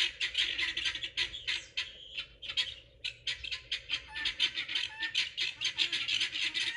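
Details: Pearl guineafowl eating bugs around a garden, excited and noisy: bursts of grating squawks in rapid series, a brief lull near the second and third seconds, then renewed dense chattering.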